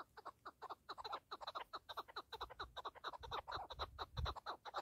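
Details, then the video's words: Partridge (keklik) producing a busy run of nasal clucking notes, roughly two per second and somewhat irregular, with faint low rumbles in the background. "KEKLİK / PARTRİDGE 1"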